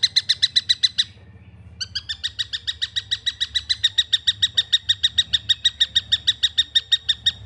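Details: Immature long-tailed shrike: a few raspy notes, a short break, then a long even chain of grating calls at about five per second.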